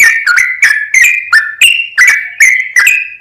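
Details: Sooty-headed bulbul singing hard in full ropel: short, sweet whistled notes with quick pitch slides, about three each second, forming a bubbly, tumbling phrase.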